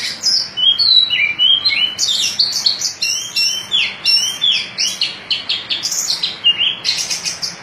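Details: Oriental magpie-robin, white-breasted form, in ngobra-style song with twisting phrasing: a continuous string of bright, varied whistles, falling slurs and sharp chips, delivered in quick, changing phrases.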